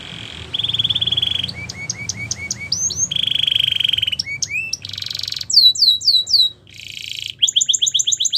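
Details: Russian canary singing a training song over a faint low background hum: a steady buzzy roll, then clipped upward whistles, another long roll, and strings of arching high notes repeated in quick tours.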